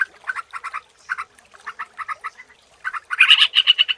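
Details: Sooty-headed bulbul lure recording with grouped chattering chirps in short clusters and brief gaps, ending in a louder, brighter rapid run of notes.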